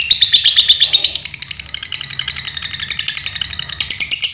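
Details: Caged lovebird of the Dunhil line from Paduraksa, Pemalang, Central Java, Indonesia, singing a long, rapid chattering trill of high, buzzy ticks, about three per second, with brief sharper whistled notes at the start.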